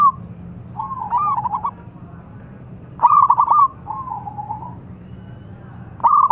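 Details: Zebra dove of a local strain, singing strongly with a big voice to lure others: clusters of quick stuttering coo notes followed by softer drawn-out trilled phrases, repeating every few seconds over a low background hum.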